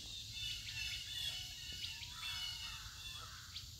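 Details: Wild birds outdoors giving short, sharp chirps and high squawky notes at irregular intervals over a steady, shimmering insect chorus.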